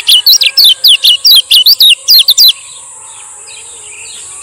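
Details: Male lemon-bellied white-eye from Lombok giving rapid 'ciak ciak' song, used as a lure to get silent birds singing: a fast run of sharp, downward-slurred chirps for about two and a half seconds, then steady hiss.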